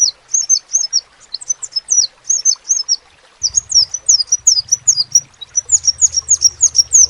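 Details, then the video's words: Crimson sunbird singing in short, squeaky phrases of falling high notes, first spaced, then after a pause merging into a dense rapid stream of flicked chirps, with a low hum. "SEPAH RAJA TERNYATA MEMPUNYAI KELEBIHAN DARI SEGI SUARA NYA YANG KHAS"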